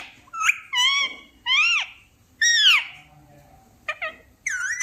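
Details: Talking parrot uttering loud, throaty, arching calls in quick succession, with a short stuttering burst near the end.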